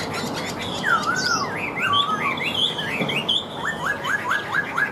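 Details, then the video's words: Chinese hwamei kept in a cage in Vietnam, described as a bird that sings like a machine once hung up. Rich, varied whistled phrases with looping slurs, ending in a fast run of rising notes. "Treo Ra Là Hót Như Máy"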